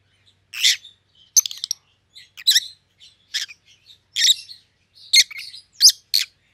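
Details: Loud, grating chirps from a pair of white-headed opaline rosy-faced lovebirds, pallid and green, arrive roughly once a second, each a short harsh burst, some with quick stuttered notes.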